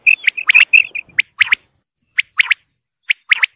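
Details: Male and female quail give bright, clipped chirps. A dense run of paired notes comes first, then after a gap single and double notes spaced about a second apart. The background is otherwise quiet.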